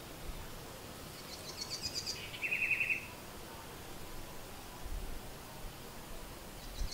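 House Wren gives one brief, bubbly song: a quick jumble of high notes rolling into a lower rattling trill, over a quiet background hiss.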